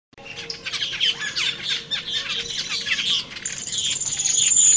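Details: Cucak keling in the wild, heard as a dense stream of harsh, squawking chatter from several birds, with a thin, steady high whistle joining in over the final second and a half.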